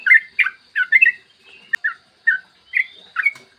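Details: Yellow-vented bulbul in a morning lure recording for stirring other bulbuls: bubbly warbled notes in uneven clusters, a sharp click midway, then a few slurred whistles.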